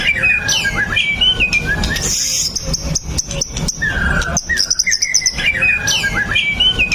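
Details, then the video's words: White-rumped shama song used to prompt other shamas to sing: whistled slurs mixed with high, insect-like buzzing trills and clicking bursts, in repeating phrases over faint low background noise. "PANCINGAN MURAI BATU LANGSUNG BUNYI 100% GACOR TANPA HENTI"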